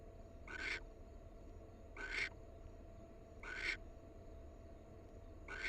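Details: Wild barn owl pair. Four breathy, harsh screeches repeated every second and a half, evenly spaced and similar in length, over a persistent low hum.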